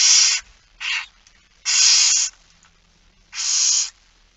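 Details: Barn owl begging heard at a 06:57 feeding on 13 September 2019: drawn-out rasping hisses, one long and one shorter, with uneven pauses between the screeches.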